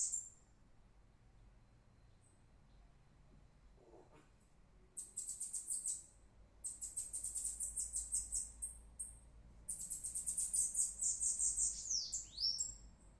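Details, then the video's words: Small songbird called sibitinho, singing very high, thin, rapid trilled phrases in bursts separated by short pauses, ending with downward-sweeping notes; quiet background otherwise. "essa ave agrada d+"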